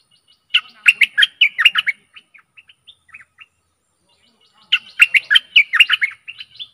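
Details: Decoy song of a stripe-throated bulbul, meant to draw in aggressive wild birds. Two loud, gurgling, bubbly phrases about four seconds apart, the first trailing off into scattered soft whistled notes.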